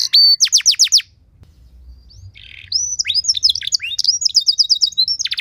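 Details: Canary song as training material: a quick burst of descending whistles, a pause with soft murmur and a short buzzy note, then resumed jumbled twittering and high chips.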